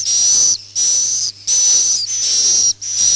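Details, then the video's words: Swiftlet roosting call used to attract birds to nest houses: four long, piercing buzzy bursts with a clear high whistled line through each, divided by short pauses, over a faint hum. "suara inap burung walet"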